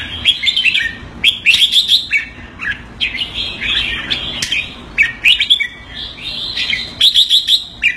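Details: Kept red-whiskered bulbul in Singapore performing keke on command: repeated fast, stuttering keke rattles interleaved with bubbly whistled chirps, loud and close, with brief pauses between phrases.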